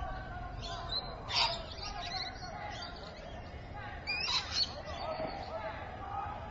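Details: Rainbow lorikeet at Evans Head, 26 May 2012, mid-afternoon: two harsh, screechy bursts, one short near the start and a longer ragged cluster later, over steady low background rumble.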